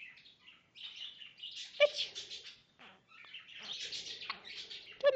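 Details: Captive male Goldie's lorikeet courting its owner's hand, making harsh, buzzy, broadband chattering and raspy bursts with short sharp clicks, in fast irregular runs separated by brief pauses.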